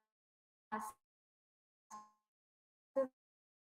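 Three short, hollow knocks about a second apart, with near silence between them and no animal voice.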